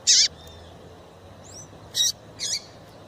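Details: Female Double-collared seedeater giving a call used to excite and stir up males. Three short, sharp, high chirps with a lower dipping tail: one at the start, then a pair near the end, over a quiet hiss.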